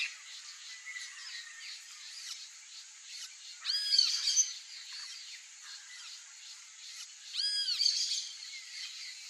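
Turquoise-fronted amazon giving two loud bursts of harsh, squawking calls about four seconds apart, over a steady high hiss of insects or background birds.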